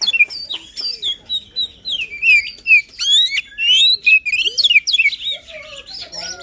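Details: White-rumped shama singing vigorously, a song played to rouse a lazy bird into singing; loud slurred whistles and quick sweeping notes follow one another almost without pause, interspersed with short harsh bursts.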